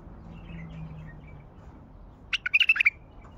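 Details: A wild bulbul from Baghdad gives a short, lively burst of six or seven chirped, warbling notes after a quiet stretch with faint distant twittering and a low background hum.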